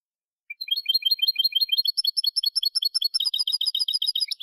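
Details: European goldfinch song from a Málaga-style teaching recording for young birds: rapid high twittering trills and repeated chirps building into dense, fast phrases.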